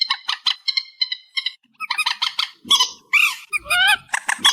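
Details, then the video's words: Reed warbler song in an amplified recording: harsh, chattering notes repeated in short bursts, then louder rasping, slurred phrases with rising and falling churrs. No other sounds. "Tiếng Chim Trích Ré 2024 Bản Tăng Âm"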